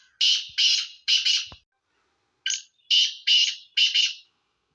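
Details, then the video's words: Sindhi black francolin calling: loud, harsh, grating notes in a rhythmic pattern. A group of three comes first, then a pause, then a run of four, each burst short and rasping. "سندھی کالے تیترکی مکس آوازیں"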